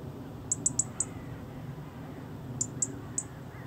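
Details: Chirping European robin giving tiny high-pitched ticks, four in quick succession, a pause, then three more spaced out, with a soft low rumble underneath.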